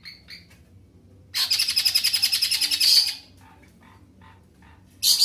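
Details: Greater green leafbird singing energetically in long phrases, a sustained loud rattling trill of rapid pulsed high notes lasting nearly two seconds, between softer scattered chips and short whistles, another trill starting at the end.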